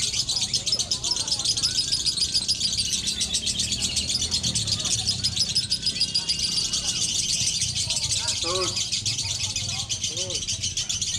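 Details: Lovebirds in a singing duel chatter without pause in a fast, high, buzzy trill, competing on song quality; lower chirps from other birds and faint voices sound in the background.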